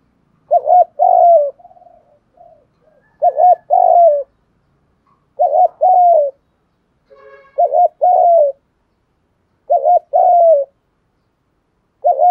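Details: Repeated lure coos of a spotted dove for attracting wild doves: about six similar phrases every two to three seconds, each a short wavering note then a longer descending hoot, with a few soft murmured notes between.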